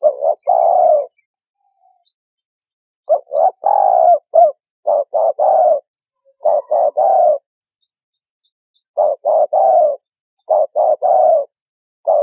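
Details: Spotted dove call used to lure birds into traps: several phrases of short paired coos followed by a longer, slightly descending coo, spaced by silences of one to two seconds.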